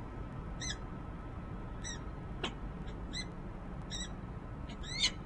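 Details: Female peregrine falcon at a nest ledge on the Rachel Carson building in Harrisburg, Pennsylvania, January 19, 2013, possibly addressing a male off camera; fainter grating calls repeated roughly once a second amid steady low noise and a click.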